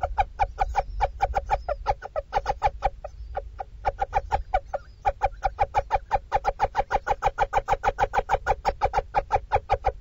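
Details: At a webcam nestbox in Dorset, UK, a mother little owl keeps up constant calls while feeding her chicks: a long, steady stream of quick, gruff clucks with one short break early on.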